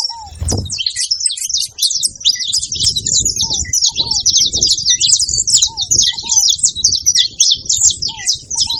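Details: Noisy saffron finches gathered at a feeding spot give a constant stream of sharp, high twittering chirps overlapping one another; a dull thump near the start, low curved notes recurring, and rustling background noise.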